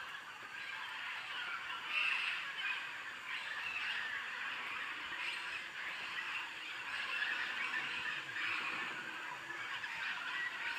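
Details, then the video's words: On the Tambopata river, macaws massing before invading a clay lick, captured by iPhone through a scope; many birds give raucous, overlapping squawks forming a constant noisy din, swelling slightly around the second and seventh seconds. "Macaws preparing to invade claylick"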